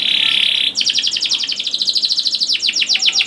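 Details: Young canary song used as a lure to get canaries singing: a dense buzzy trill opens, then a fast run of rapid descending chirps repeated several times a second, bright and high.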